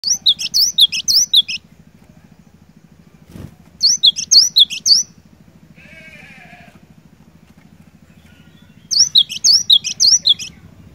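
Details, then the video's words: Cinereous tit singing energetically, recorded to stir a silent bird into singing: three bursts of rapid, high, whistled two-note phrases, each about a second and a half, separated by pauses over a steady low mechanical hum. "Burung Glatik Batu Gacor, Cocok Buat Mancing Glatik Malas BUNYI"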